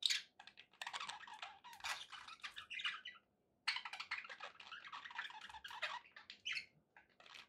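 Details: Budgies chatter at a lower level over a steady low background noise, their raspy warbles and chirps coming in bursts with a clear pause around three seconds.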